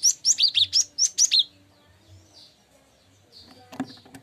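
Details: Tutor recording of cinereous tit song for songbird training. A rapid run of eight high, sweeping chirped notes opens the clip, then near silence, then a few fainter notes alongside clicking sounds.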